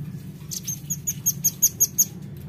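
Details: Velvet-fronted nuthatch lure call: seven sharp, very high chips repeated quickly and evenly, heard over a noticeable low rumbling background.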